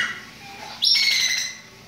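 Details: Chopi blackbird song: one loud, bright, sustained note breaks in after a quieter lead-in, holding steady high for about half a second before fading, over a faint hum of background noise.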